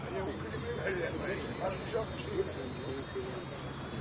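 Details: Competition jilguero in the Blanco de Repique class of the Copa Federación, delivering a steady string of bright, high, clipped notes about three per second, with voices murmuring underneath.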